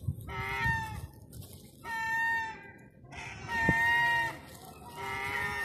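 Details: Seagulls begging for food during lockdown on Terminus Road in downtown Eastbourne, East Sussex, UK; four long, nasal, plaintive cries spaced about a second apart, each steady then slightly falling, over a low urban hum.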